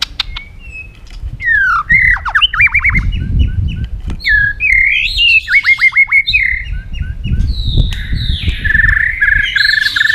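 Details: White-rumped shama in competitive singing with tail flicking: loud varied song of steep down-swept whistles in rapid series, rising slurs and a buzzy warbled ending, repeated phrases about three per second, low noise below.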